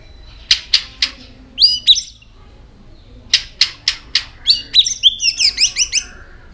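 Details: White-rumped shama, many-voiced singer flicking its tail, gives sharp clicking notes in short series, then bursts of rapid high chattering, twittering phrases, ending in a fast run.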